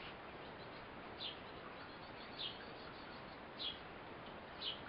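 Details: Mother Eurasian blue tit feeding her fledgling: four thin, high chirps repeated at a fairly even pace, about one every 1.2 seconds, over continuous background noise.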